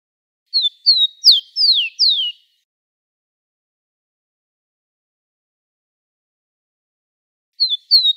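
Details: Rufous-collared sparrow (tico-tico) song recorded live to teach young birds: a quick run of five clear, high, downward-slurred whistles, then silence, then two more whistled notes near the end.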